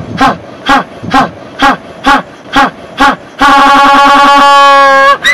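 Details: African penguin at Boulders Beach, Lambert's Bay or Betty's Bay, South Africa, brays like a donkey: short honks in a quick series, then one long drawn-out note.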